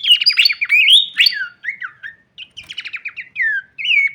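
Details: Wing-shaking Horsfield's babbler giving a varied song: a dense opening tumble of whistled notes, then short downward-slurred whistles and quick stuttering trills separated by brief gaps.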